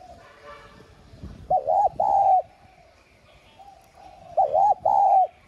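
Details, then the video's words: Spotted dove decoy in the 'giọng son' style, calling to make captive newly caught doves coo: two phrases about three seconds apart, each a double hooting coo, with a faint soft coo between them. "Tiếng cu đất gáy kích bổi nhanh gáy"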